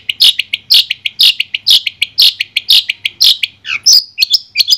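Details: A Long-tailed Shrike (Madura type) gives loud, harsh, scratchy notes about twice a second, then breaks into quicker, varied chattering and whistled phrases.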